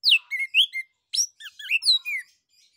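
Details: Orange-headed thrush singing a varied, rich phrase to prompt other birds to sing: falling slurred whistles, rising sweeps and short chips in two bursts with a brief pause between.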